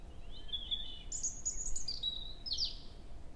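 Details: European robin in forest at Hoher Peißenberg, early May morning; a brief phrase of thin sliding whistles followed by clear very high pure notes repeated several times and a final sharp twitter, against quiet low background noise.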